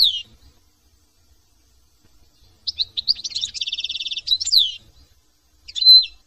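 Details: European goldfinch from France with a falling whistle, then a long, rapid, buzzy trill of evenly repeated notes ending in a twittering flourish, followed by a single bright note.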